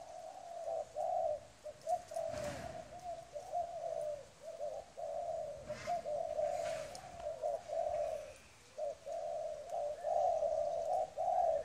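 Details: Spotted dove, newly caught from the wild, cooing almost continuously: soft, low, slightly rolling notes strung in long phrases with brief gaps, plus a couple of faint knocks.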